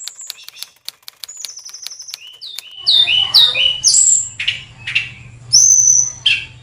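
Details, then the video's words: Oriental magpie-robin in high breeding condition at a bird farm. Scattered clicks and thin whistles lead into loud, rich whistled phrases with falling slurs and buzzy low-ending notes, over a faint low hum. "CIRI-CIRI KACER SEDANG BIRAHI TINGGI"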